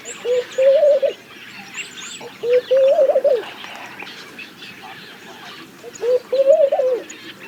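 Laughing dove giving soft, low bubbling coos in three short phrases, each a quick rising-and-falling run of notes; faint background chirps from other birds.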